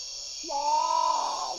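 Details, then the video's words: Great potoo giving a single drawn-out groaning note about a second long. It swells and then slowly falls away, set against a steady high insect hum. "Great Potoo (Nyctibius grandis) Call"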